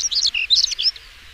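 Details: Brief European stonechat song phrase: a quick jumble of high, squeaky and scratchy notes lasting under a second, then quiet.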